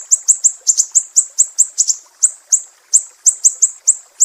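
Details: Sumatran mangrove whistler, Indonesian 'besetan pedih' sharp song style, used as a master recording for training songbirds: very high, piercing notes repeated about four per second, some in quick pairs, over a clean quiet background.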